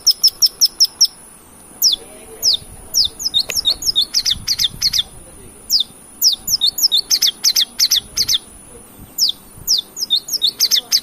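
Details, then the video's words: Long-tailed shrike lure recording used to provoke singing: sharp, high downslurred chirps delivered in rapid clusters and short runs, over a steady thin high-pitched whine and faint background hiss. "pancingan cendet gacor"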